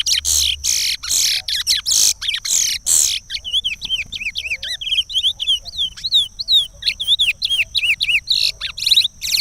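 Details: Chestnut-bellied seed finch giving the regional song of Pará, used to teach the song to chicks. A run of loud strokes gives way to quick, varied whistled notes that slide up and down, with a steady high tone running beneath.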